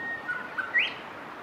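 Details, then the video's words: Grey shrike-thrush in Victoria, Australia, recorded in November 2022: a few clear whistled notes, a level tone then a short upward-swept whistle, over faint background hiss. "Ptaki Australii: Colluricincla harmonica 06"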